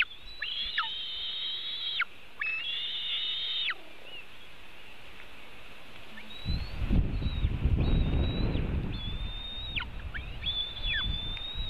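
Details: White-tailed eagle on a nest webcam in Latvia, 5:08 pm on 4 July 2018, as one eagle steals part of a fish from another: long, high, steady whistles, each ending in a sharp downward slur, repeated, with low rumbling noise.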